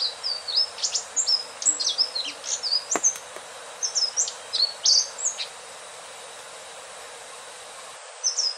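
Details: Sikatan ninon, the Indigo flycatcher, sings a rapid, sweet sequence of high whistled notes, about three per second, rising and falling, with a sharp click near the middle, a quiet stretch, then one last phrase.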